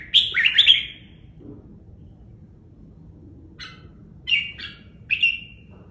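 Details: Training-cage red-whiskered bulbul, feathers held close, opens with a burst of warbled whistles, falls silent, then gives a few short sharp notes and two more clear slurred phrases.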